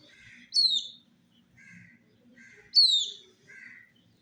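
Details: Colored chicks drinking water in summer. Two piercing downward-slurred peeps sound about two seconds apart, with soft, low, buzzy chirps from other chicks in between.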